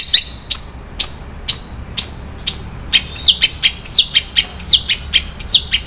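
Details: Long-tailed shrike in 'isian mewah' contest song: clear down-slurred whistles repeated about twice per second, quickening toward the end with sharp chips slipped between them.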